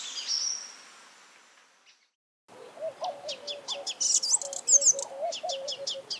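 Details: Sunbird singing in its natural habitat: after about two seconds of soft hiss, quick high chirps and short twittering bursts follow, with a lower warbling phrase repeated underneath.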